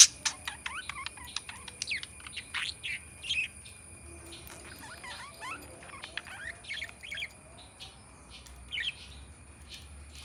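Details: Black-faced budgerigar kept as a pet, known for talking: rapid warbling chatter of short rising and falling chirps and clicks in bursts, over steady electrical hum.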